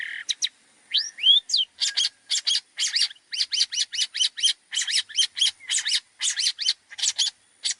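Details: Training song of a long-tailed shrike, rich in borrowed phrases. A few clean rising whistles open a long run of harsh, scratchy double and triple notes repeated about twice a second, steady and busy throughout.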